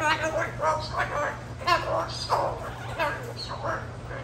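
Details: A pet Moluccan cockatoo mimics speech in throaty, word-like bursts about once or twice a second, with a steady low hum in the background.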